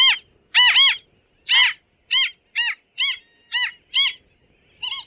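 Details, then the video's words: Bridled tern giving a series of loud, grating, downward-arched calls, about two per second at first and then more spaced, each note rich and harsh, against a quiet background. "Крачка бурокрылая. 5 часть. Голоса птиц"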